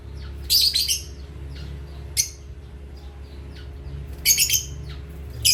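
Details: Asia parrots chirping at playtime: a rapid cluster of harsh, scratchy squawks, single sharp notes between, then another burst of three and a final squeak, with a low background hum.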